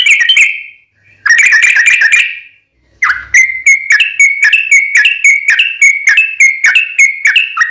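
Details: Sooty-headed bulbul song in a long, fighting style, used as a lure to make other bulbuls answer at once. Bright whistled phrases open the clip, then a rapid series of short clear notes follows, repeated about three times per second.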